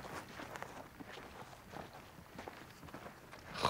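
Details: Crunching footsteps on dry ground, with no animal voice heard.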